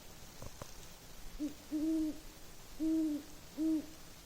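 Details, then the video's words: Great Horned Owl, as a viewer suggests, at night in snowy winter woods after a snowstorm, giving deep, soft hoots: a short one followed by two longer ones about a second apart. "Hoo hoo hoooooo are yooo?? 20:58. Great Horned Owl, methinks."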